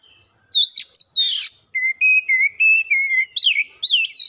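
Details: Oriental magpie-robin singing vigorously, a lure for other birds that shows its learned song; loud whistles and a harsh chattering burst, then a steady series of short level whistles and wavering, rising phrases.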